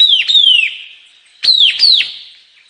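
White-capped tanager giving two pairs of loud, harsh, high notes that slur downward, each pair separated by about a second of near quiet.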